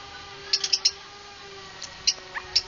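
Lovebird giving short, sharp, high-pitched chirps in an irregular burst of three, then scattered single notes, over a faint steady hum.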